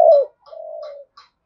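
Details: Spotted dove decoy urging a fight: a strong falling coo followed by a softer, long, level hooting coo, with faint clicks behind.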